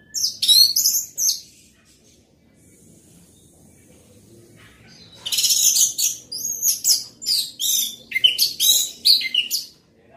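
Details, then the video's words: Orange-headed thrush sings loudly: an opening burst of rich high warbling, a long pause, then a sustained run of rapid, varied chirps and whistles repeated several times. "Anis merah gacor volume keras"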